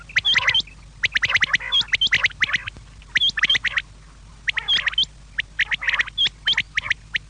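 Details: Quail call meant for evening, used to attract quail: dense runs of sharp clicks and chirps broken by high hooked whistle notes, repeated in quick bursts about every second, with faint steady hum underneath.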